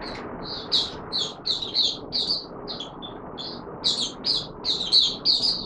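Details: Oriental white-eye in courtship mode, 25 January 2022: quick high twittered notes in short clusters over steady broadband background noise, somewhat quieter and rougher.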